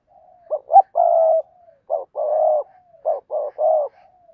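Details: Spotted dove kept as a decoy to lure wild doves, cooing in rhythmic phrases: short gruff notes followed by long steady low coos, three phrases with soft pauses between.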